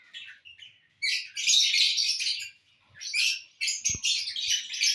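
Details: While eating corn on the cob, lovebirds call in shrill, scratchy chattering runs, a short soft start followed by dense bursts of high squeaks and a couple of faint knocks.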